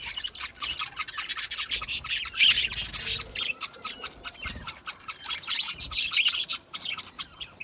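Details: Loud, rapid squawky chirps from a group of budgies in an aviary, about three notes a second, overlapping into a continuous harsh chatter.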